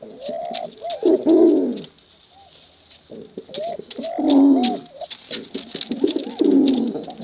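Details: Wild pigeon (merpati hutan/dara) giving low, rolling coos in three bursts about three seconds apart, each a throaty burbling swell with softer notes between.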